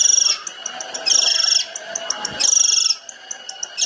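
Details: Long-tailed shrike 'tembakan' master song: harsh, high buzzy bursts of about half a second alternating with soft ticking notes, roughly one burst per second.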